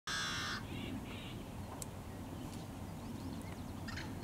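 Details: Yellow-headed blackbird singing in summer at wetlands along the Great Salt Lake, where the species gathers in great numbers: a loud, raspy, harsh buzz opening the clip, then two shorter buzzy phrases, over a steady low rumble with faint distant calls.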